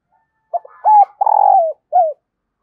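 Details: Spotted dove decoy calling to bring in wild birds. It gives a clipped opening note, then a level coo, a drawn-out purring coo easing downward, and a short falling end note, all against quiet surroundings.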